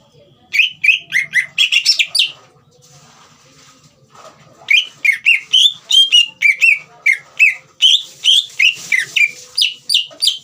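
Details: Green leafbird song played to prompt a young bird into singing: quick bursts of sliding whistles, a pause of about two seconds, then a long lively run of downslurred notes and buzzy chatter.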